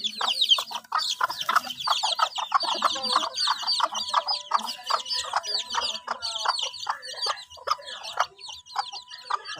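A bantam hen clucks in rapid, repeated bursts, a sign she is ready to lay.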